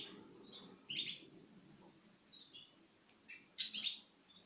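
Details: Citril finch pairs eating from a hand, recorded in 2016: two short bursts of high, bright chirping notes about three seconds apart, with softer twittering between and a faint low hum underneath.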